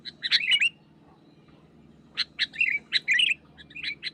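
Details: Sooty-headed bulbul, wild, pressing a rival with a brief chattering phrase, over a second of silence, then a second cluster of sharp chirps and twisting warbled notes.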